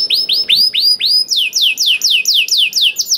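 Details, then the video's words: Singing canary, used as a lure to get quiet canaries to sing, producing a steady run of ringing whistled notes, first rising then sharply falling, repeated several times per second with clean high harmonics. "KENARI GACOR DOR INI MEMANCING KENARI YANG SUSAH BUNYI JADI IKUT GACOR"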